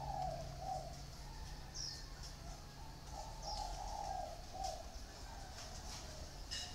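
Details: Two caged spotted doves, housed in a round bamboo cage and an iron cage, deliver clear mellow cooing phrases at the start and again midway, with small high chirps from other birds and light background hum.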